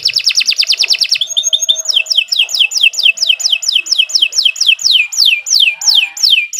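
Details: Singing canary: a quick rattling trill, a short buzzy phrase, then a long series of loud downslurred whistled notes repeated roughly twice per second.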